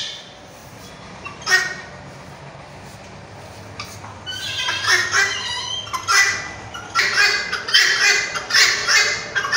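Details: Red-wattled lapwing: after a quiet start with one isolated sharp note, a run of loud, harsh, piercing calls follows in quick succession for the second half.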